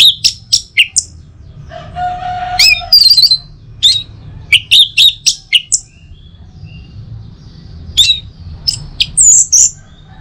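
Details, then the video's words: In Singaraja, Bali, an Orange-headed thrush sings to stir other birds at home in the morning. Rapid sharp chips repeat roughly four per second, broken by a warbled phrase, short quiet gaps, and closing bright whistled notes. "Saatnya Buat ANIS MERAH NGEPLONG Gacor dirumah. Pancing dengan suara burung ini baik pagi hari."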